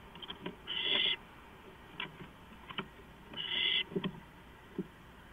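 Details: Owls inside a nest box, three birds present and moving in and out, before dawn at 4:45 AM on April 6, 2015; two harsh hissing screeches of about half a second each, with scattered clicks and scratching.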